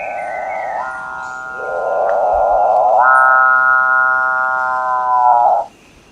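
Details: Capuchinbird (Perissocephalus tricolor) song: a low grinding rasp swells, then turns into a long, mooing, harmonic-rich tone that holds steady for over two seconds before stopping abruptly.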